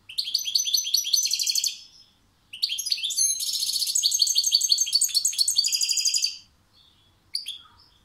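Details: Goldfinch giving an energetic, sustained song: rapid sparkling twitters, then a long, dense stretch of buzzy, tinkling trills and chattering notes lasting several seconds, ending with a brief high chirp in an otherwise quiet setting.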